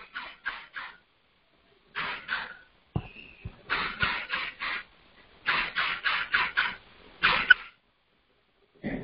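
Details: Red-bellied Woodpecker recording, first mistaken for a robin at Richfield Heritage Preserve, Ohio, in November 2020, played back from a second computer: harsh rolling notes in bursts of three to five with short pauses and faint knocks.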